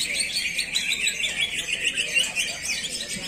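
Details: Greater green leafbird in continuous, rapid song: a dense stream of high chirps, trills and whistles without pause, while people chat softly in the background.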